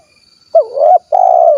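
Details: Spotted dove of the 'kuk 1' type, Cilacap, Central Java: a full two-part coo, a curving hooked note rising into a held tone, short gap, then a long level coo easing downward.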